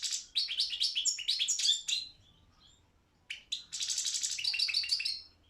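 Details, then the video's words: Caged Balkan goldfinch, Carduelis carduelis balcanica, singing in a world championship song competition in Serbia: two bursts of rapid, twittering, liquid notes and buzzy trills, separated by about a second and a half of quiet. "Pesma štiglića 006/23 World Championship in Goldfinch Song"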